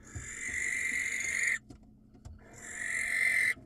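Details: Wild barn owl filmed on a nest camera in Israel, calling to attract a female: a harsh hissing screech of about one and a half seconds, a short silence, then a second screech that swells louder toward its end.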